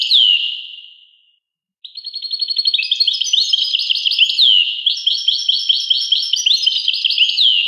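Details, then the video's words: European goldfinch singing: a high, fast liquid twitter of tinkling notes and short downward slurs, a brief falling phrase that fades into a pause, then a dense run of chattering phrases with no other sounds. "Carduelis carduelis. song Carduelis carduelis pure and Nice-Birds The song"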